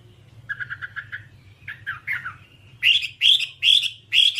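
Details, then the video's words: Whambie from a nonstop tutor recording: soft low repeated twittering notes at first, then loud sharp upslurred whistles repeated about three times per second, with faint hum behind. "Masteran Whambie nonstop 1 jam"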